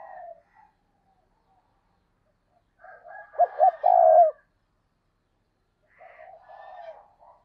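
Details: Single loud coo phrase from a decoy spotted dove calling to attract other doves: two short notes leading into a drawn-out coo, framed by long quiet gaps and soft low cooing.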